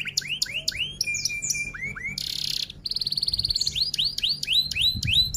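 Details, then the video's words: F1 canary singing a long tutor song in the roll-and-shots style: rapid rising whistled upsweeps repeated several times a second, a sustained buzzy trill, a pause, then a metallic rattling roll and more upswept notes; low hum beneath. "Masteran Komplit, Kenari F1 Gacor Rol Tembak Top Durasi Panjang"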